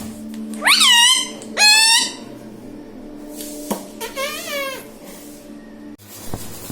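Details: Pet parrot repeating mummy and papa: two loud, rising, reedy syllables close together, then a softer wavering one after a pause, with a faint steady hum behind.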